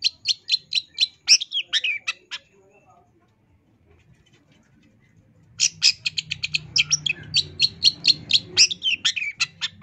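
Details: Energetic long-tailed shrike song in full isian tambakan style (2022), used for training caged birds: quick repeated sharp chirps, a silent gap of about three seconds, then the rapid chirping resumes over a low steady hum.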